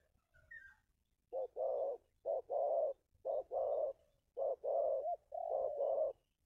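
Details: Spotted dove of the local 'kuk 2' type, played to attract wild doves, gives low hollow coos, a short note followed by a longer one, repeated in steady pairs about once a second.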